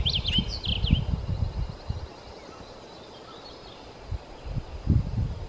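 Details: A migrating male blue grosbeak in 2020, eating seeds in the forest then singing to his mate, gives a quick, rich warbled phrase of slurred high notes, then a fainter snatch, over low thumping and rustling.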